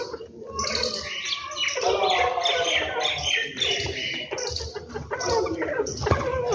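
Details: Morning birdsong at a home, a dense chorus of rapid twittering and sharp chirps crowding together, with faint music-like tones mixed in.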